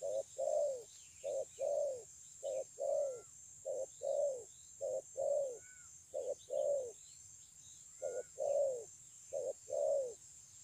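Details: Spotted dove, 9 June 2020, in a steady run of eight low cooing phrases, roughly one every 1.3 seconds, each a short note then a longer falling coo; faint chirps of other birds and constant high hiss.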